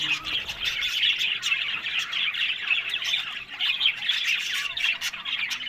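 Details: Several caged budgies squawk and chirp over a steady bed of scratchy warbling, the noise rising and dipping unevenly for nearly six seconds.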